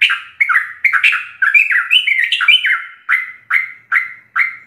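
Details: Sooty-headed bulbul singing full 'ropel' song for use as a master tutor recording for caged birds: jumbled fast chattering whistles, then four well-spaced clear slurred phrases near the end.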